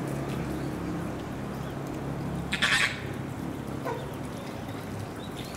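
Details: A Chilean flamingo at Yama-Jigoku, Beppu, Oita, Japan, on 4 December 2019 gives a single harsh, nasal squawk partway through, with a fainter note after it, over a steady low rumble of background noise.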